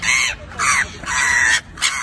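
A crow gives four harsh, raspy caws in quick succession, each about a quarter to half a second long, with short gaps between.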